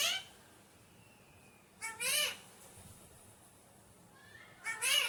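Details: Harsh, rising-and-falling squawks from an Alexandrine parakeet, described as a naughty parrot, come at the start, middle and end, separated by quiet pauses with a faint thin whistle.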